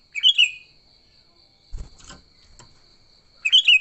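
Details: Sooty-headed bulbul giving fighting song, used to lure bulbuls: two bright chirpy, bubbly phrases, one at each end, separated by a few dull low knocks and a constant thin high tone.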